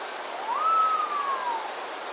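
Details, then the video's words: A resplendent quetzal in forest in Costa Rica gives one mellow, whistled note that swells upward, holds, then slowly slides down, lasting about a second, over a steady hiss like rushing water. "Resplendent Quetzal Callings"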